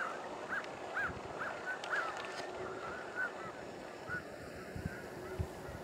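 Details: Distant honks from thousands of Canada geese by the Salmon River near Truro in March 2014. Clear, separate nasal calls come about once a second over a steady low background hiss.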